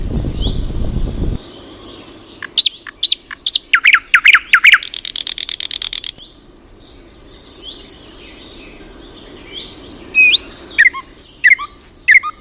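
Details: Birdsong with flowers: low rumbling noise at first, then a rapid buzzy trill and bright chirps, followed by scattered whistled rising and falling notes.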